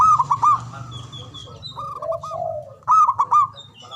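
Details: Zebra dove of a local Javanese strain, loud and long-winded, sung to prompt mute or lazy doves to call. Two bursts of rapid stuttering coos frame a lower, smoothly drawn coo; faint high whistles of other birds and a low hum behind.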